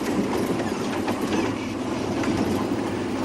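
A steady rumbling, rattling mechanical noise like a moving train or vehicle, with no animal sounds.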